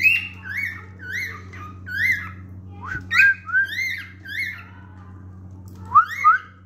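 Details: Male cockatiel singing indoors: a series of clear whistled notes, each rising then falling, loosely repeated in phrases with short pauses, over a steady low electrical hum.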